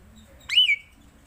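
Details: Black-collared starling, known locally as jalak suren, giving one loud rising whistled note that swoops up and levels off, with a faint low hum beneath.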